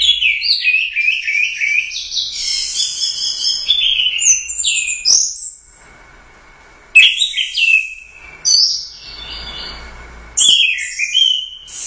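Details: A champion orange-headed thrush from the Royal Cup bird contest sings energetically: dense runs of high whistled and chattering notes, a quiet gap, then several abrupt loud phrases with buzzy overtones.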